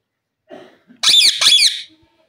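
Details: Indian ringneck parrot talking, mimicking human speech: two loud, harsh, speech-like syllables in a quick pair, preceded by a soft low murmur, recorded indoors.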